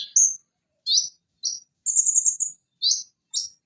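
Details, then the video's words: Van Hasselt's sunbird (konin) kept for birdsong training: spaced high chirps and sharp short notes separated by clear pauses, with one longer rapid stuttering trill in the middle, in a quiet setting. "Masteran Konin Macet agar Cepat bunyi Kembali"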